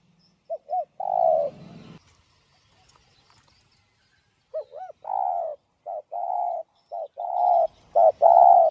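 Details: Spotted dove, 'giọng đồng' voice, 'gáy thúc gù' style for luring doves. An opening coo-coo-croo is followed by a low rumble, then a fast run of coos and long croos repeated with barely any pause.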